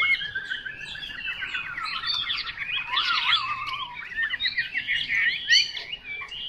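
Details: Chinese hwamei heard somewhat softly, a busy tangle of rapid zigzagging whistles and sharp upslurred notes, louder bursts at the middle and near the end.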